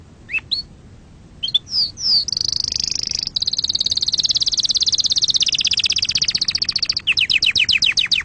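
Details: Canary song meant for training young canaries: a few scattered sliding chirps, then a sustained high rapid trill lasting several seconds, finishing with slower repeated descending pulses.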